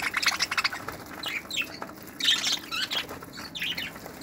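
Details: Budgerigars in a flight aviary used for breeding, 2018, giving quick trills of chirps at first, then spaced scratchy squawks and warbled notes.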